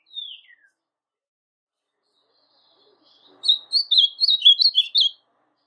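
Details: Brown-plumaged Ultramarine Grosbeak kept in captivity: a single falling slurred whistle, a pause of nearly three seconds, then a fast warbled phrase of about nine sharp chirping notes.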